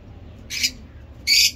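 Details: Lovebird in heat performing ngekek panjang chatter: two brief, harsh, rasping shrieks separated by a short pause, over a low steady hum.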